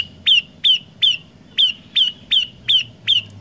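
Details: Olive-backed tailorbird singing: piercing, falling notes repeated roughly every third of a second, three notes, a short break, then five more, against a faint low hum.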